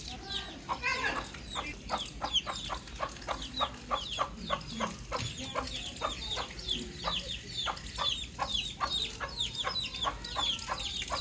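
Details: Baby chick chirping outdoors: a long run of sharp, high peeps that each slide downward, repeated rapidly at a fairly steady pace, with faint background bird sounds.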